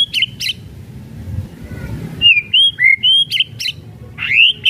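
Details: Murai batu, the white-rumped shama, singing kretekan-style to stir other shamas. Crisp high clicks, a few short rapid whistles and a closing upswept note.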